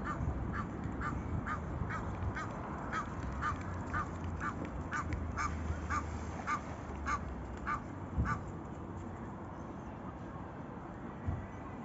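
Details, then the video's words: On Spain's Manzanares river, Egyptian geese call back and forth in a run of rapid harsh honks for about eight seconds, then fade, with continuous low-pitched city rumble beneath. "Gansos del Nilo en el río Manzanares llamándose por graznidos"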